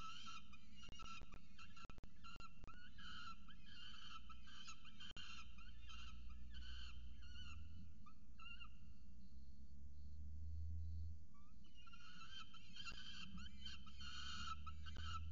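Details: At a camera-watched nest in Orange, Australia, a peregrine falcon chick and its mother give strings of harsh, stacked, slurred calls. There is a quieter stretch midway, and low rumbling wind or handling noise runs throughout.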